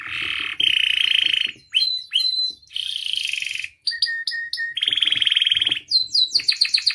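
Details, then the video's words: Canary song played as a lure to make caged canaries sing, full of varied phrases: harsh buzzy rattles alternate with short whistles and a closing run of rapid chirps. "MASTERAN DAN PANCINGAN KENARI GACOR FULL ISIAN"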